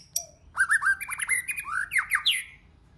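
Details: Stimulating many-voiced song of a white-rumped shama: a sharp high click, then a hurried sequence of clipped, bubbling notes and slurs, ending with a rising whistled sweep.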